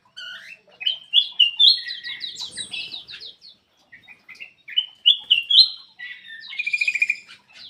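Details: Black-crested bulbul singing actively, used as a lure to prompt quiet birds to sing: bright, quick whistled and chattering phrases around mid-high pitch in two bursts, ending in a fast trilled rattle; otherwise quiet background.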